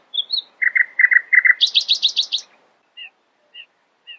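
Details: Nightingale singing early in the morning: two high whistles, a chugging repeated lower phrase, a quick high chattering trill, then three spaced soft notes.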